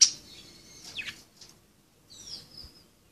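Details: Budgerigars at play give a sharp high note, a long thin whistle and a warbling downward call, then a faint drawn-out whistle after a short pause.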